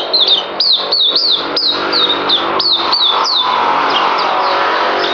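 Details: Captive songbird, 9 December 2018, giving a series of bright down-slurred whistles that fade out halfway through as a steady rumble of passing traffic takes over.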